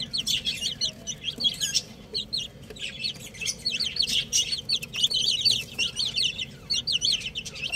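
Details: Baby chicks playing together, a group peeping continuously with high, wavering, down-slurred cheeps overlapping, over steady low background rumble.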